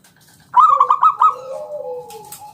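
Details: Local zebra dove used as a lure to make others sing: a sudden loud rolling trill of about five pulses, trailing into a long soft falling coo.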